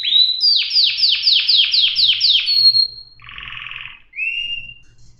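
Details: Canary song: a rising whistle, a quick run of repeated falling sweeps, a drawn-out tone, then a buzzy rattle and a short rising whistle.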